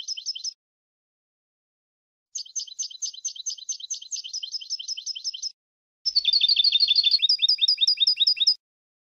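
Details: Goldfinch singing in bursts: a short trill, then a three-second run of fast repeated twittering notes, then a denser, louder trill that shifts to a higher, tinkling series, separated by brief silences.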